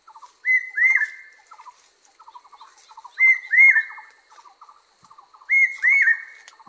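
Barbet song: a pair of clear, slurred whistles repeats about every two and a half seconds, with quick runs of lower, clipped notes between them.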